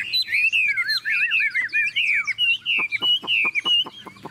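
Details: Newly arrived tame Chinese Hwamei, large with yellow legs and beak, kept caged, singing as a downpour begins: rippling, undulating whistles followed by a quick run of short sharp repeated notes.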